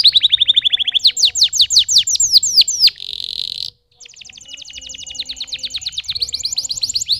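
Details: Canary singing a falling rapid trill, clear descending sweeps, a buzzy rattle, a brief silence, then a long even trill resuming.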